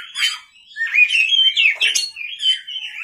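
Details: Kacer, or Oriental magpie-robin, in lively song at night, used as a lure: fluid whistled notes rising and falling, broken by short harsh sweeps, delivered in a continuous, rich phrase.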